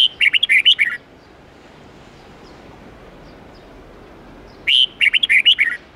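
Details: Forest-style twisting 8-9-10 note red-whiskered bulbul song played to train young birds: two rapid phrases of chirpy whistled notes, each about a second long, roughly four seconds apart over faint background hiss.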